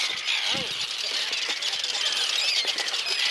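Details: Arctic terns on the Farne Islands defending their nests and eggs, snapping their bills in anger; a dense stream of harsh, high, grating calls and sharp clacks, with breeze in the background.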